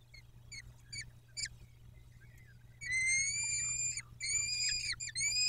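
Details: Peregrine falcon at the nest in Dobra on 14-05-21, 14.18: scattered short high chips, a quiet pause, then loud sustained wailing calls broken into uneven segments, rising slightly at the close.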